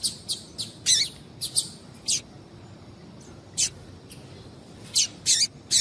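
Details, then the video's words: Calling female double-collared seedeater, used to excite a male into singing: brief high chirps, some in quick pairs, separated by pauses of up to a second and a half, against quiet background hiss. "Piado de fêmea de Coleiro Chamando Quente para Esquentar Coleiro tui tui"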